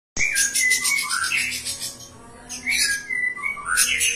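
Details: Long-tailed shrike (cendet) singing energetically, its song packed with imitated phrases of other birds: clear whistled notes near one pitch alternating with sweeping slurs and harsh buzzy bursts, a brief quieter pause midway, then rapid chattering resumes.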